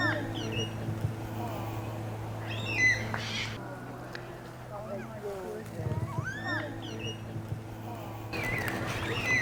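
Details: Endangered Carnaby's black cockatoos, rehabilitated and just released in Yanchep National Park, Western Australia, give distant, drawn-out wailing calls in three short bursts from nearby trees, over a steady low hum and a person speaking.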